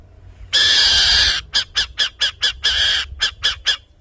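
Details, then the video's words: An owl that lives in a hole in the city cemetery of Ipatinga, Minas Gerais, Brazil, gives harsh hissing screeches: a long rasp, then fast raspy bursts about four a second, then another rasp and more bursts. "Canto da coruja"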